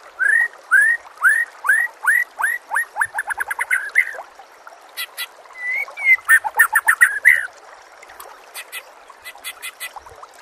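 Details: Training song of a white-rumped shama with natural background and water: a string of rising upslurred notes repeated steadily, then a quick burst of mixed chattering notes.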